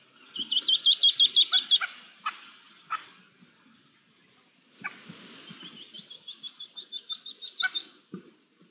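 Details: Red-legged partridges, a group of twelve with two young and a rabbit nearby, recorded 24 June 2022: a fast, regular run of ringing high notes, then a pause and a second rising series of quicker repeated notes, with soft rustling beneath.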